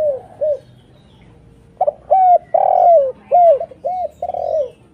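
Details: Spotted dove calling as a lure for wild doves. Two soft coos, a quiet gap, then a rich burst of arched coos including one long, rolling note.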